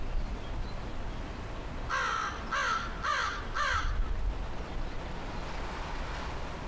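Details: Tame American crow up in a tree, 15 September 2013, answering a person coaxing it to come down; a run of four rasping caws spaced roughly two-thirds of a second apart, with low background hum.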